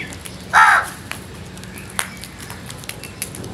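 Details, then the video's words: A crow calls once, a strong, raspy caw near the start, followed by quiet background ticks and soft distant bird notes. "Crows Sounds"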